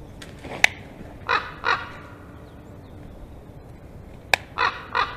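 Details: Two common ravens near a black stork nest, seen as a threat to the nesting storks, early afternoon on 5 May 2022: harsh, hoarse calls in two bursts of about three each, with steady low background rumble.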